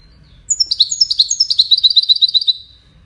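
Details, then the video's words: European goldfinch singing in the widani style for chicks to learn from: after a brief quiet start, a fast run of tinkling, descending twitters repeated about seven times a second, then fading. "تغريد ويداني لتسميع فراخ الحسون"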